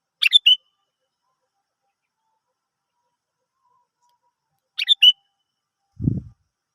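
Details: Sooty-headed bulbul, kutilang, song used to prompt other birds to sing: a short bubbly three-note phrase given twice about four and a half seconds apart, then a low thump near the end.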